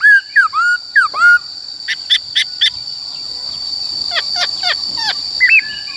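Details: Black-throated laughingthrush in forest-style song for voice training: a few loud downslurred whistles open, followed by sharp clicking notes and softer slurred whistles, with a constant high tone behind.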